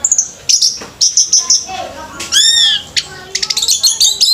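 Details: Orange-headed thrush at a bird singing competition, giving high thin whistled notes repeated about every half second, then a loud ringing downslurred phrase followed by quick bursts of sharp chirping.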